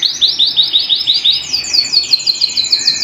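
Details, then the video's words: Canary singing at home, a bright high trill of rapid repeated rising notes, the phrase shifting midway to a higher, faster rolling series. "canary bird - canary singing - canary sounds - canary singing at home"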